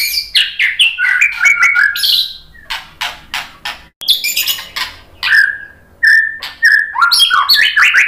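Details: Murai batu, the white-rumped shama, in a provocation song meant to make rival shamas answer: energetic bursts of sharp clicks, descending whistles and buzzy chatter, broken by short silences, then clear whistled notes and rising twittering phrases.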